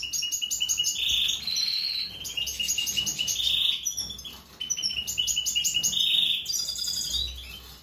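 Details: European goldfinch from a breeding pair of a mutant male and a pied female, singing a fast, bright, tinkling twitter of high notes broken every couple of seconds by a drawn-out nasal buzz, faint low hum behind.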